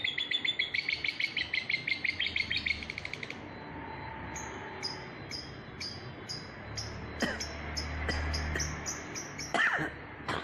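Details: Lovebird singing: a fast rattling series of dense harmonic chirps for three seconds, then evenly spaced short high notes repeated about twice a second, ending in sharp louder squeaks, over low rumbling background.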